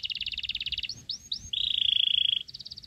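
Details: Young Sooty-headed bulbul being hand-raised on crickets: a fast train of high chipping notes, three upward-swept squeaks, then a sustained harsh buzz before more chirps.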